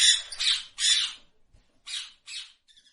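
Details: Two loud, grating parrot squawks, then a pause and two softer rasping calls, ending in faint chatter.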